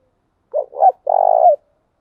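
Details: Spotted dove coo used as a lure to stimulate decoy doves, thúc gù and gáy gọi styles. Two brief, hoarse coos followed by one sustained, trilled coo ending in a slight drop. A single phrase in silence.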